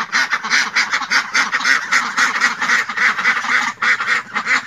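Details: Ducks quacking continuously, a dense overlapping chorus of nasal, harsh quacks from several birds, many calls per second with no pauses.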